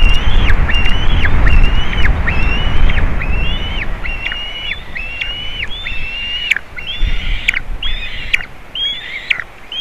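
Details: Juvenile white-tailed eagle visiting eaglets at a Latvian nest on 27 June 2019, giving a steady run of high, thin, piping calls, each ending in a short downward slur, repeated more than once a second over a low wind rumble.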